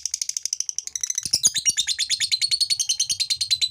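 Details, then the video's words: Ngekek long chatter of a male fighter lovebird, used to provoke females to chatter along; a continuous rapid train of high, harsh, buzzy notes at about three per second, steady throughout without breaks. "PANCINGAN SUARA LOVEBIRD FIGHTER JANTAN NGEKEK INI ,,!!! BIKIN LOVEBIRD BETINA IKUT NGEKEK"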